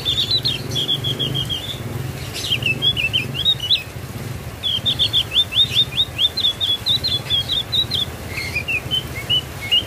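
Javan grey-throated white-eye giving bright, high twittering phrases of quick chirps and slurred notes, several bursts over ten seconds, over a low steady hum.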